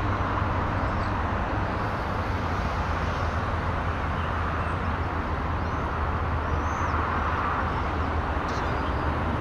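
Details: Continuous broadband roar of traffic dominates throughout, with no animal call standing clear of the noise.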